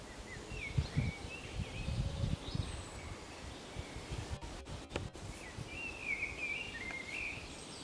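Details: A common blackbird (Turdus merula) sings faint, fluty warbled phrases at the start and near the end, over steady low wind rumble and rustling; recorded on the Camino de Santiago at Zamudio, 28 March 2019.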